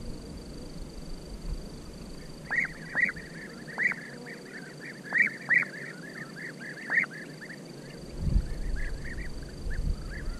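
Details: European bee-eaters giving repeated rolling, liquid, burry calls, loud and irregularly spaced, about forty a minute, with several fainter birds overlapping behind. A low rumble enters near the end.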